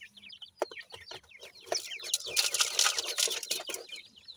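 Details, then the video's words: A francolin family with chicks gives quick, high downward-sliding peeps at about four per second. A rushing, rustling noise swells through the second half. "baby teetar with family,pheasant baby voice"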